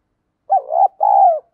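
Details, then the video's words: Spotted dove, 'field voice' style song played to urge rivals to fight: a mellow low coo in two parts, a brief wobbling note followed by a longer steady hoot that tails off, no background noise. "cu gáy giọng đồng, cu gay kich boi nhanh noi gù"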